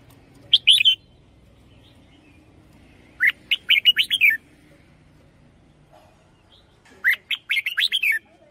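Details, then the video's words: Red-whiskered bulbul giving decoy song, including a double phrase: three bouts of quick, bubbling whistled notes, each a rising-falling run of five or six syllables, separated by pauses of about two seconds, over a quiet low background. "เสียงนกกรงหัวจุก เพราะๆ"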